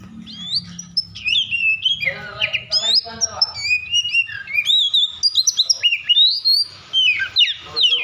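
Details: Agitated Oriental magpie-robin song meant to stir other magpie-robins to sing: a rapid, continuous stream of varied whistles, sweeping upslurs and down-slurred notes mixed with rasping buzzy phrases, loud and energetic throughout.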